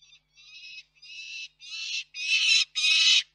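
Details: Peregrine falcons at a nest in Reda on 4 May 2023, father bringing prey and mother feeding: six harsh, nasal wailing notes, each longer and louder than the last, separated by short pauses.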